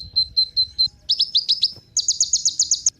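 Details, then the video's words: Van Hasselt's sunbird (kolibri ninja) singing: a run of short high steady notes, then a quicker set of sharply rising chirps, then a fast rapid string of very high ticking notes, all thin and bright over a faint low background rumble. "Kolibri Ninja Pancingan Penggacor Burung"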